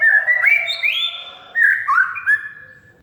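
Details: Oriental magpie-robin kept as a cage bird, its song used as a lure for a silent bird: slurred whistles climbing and dropping, warbled in two bursts with a softer tail.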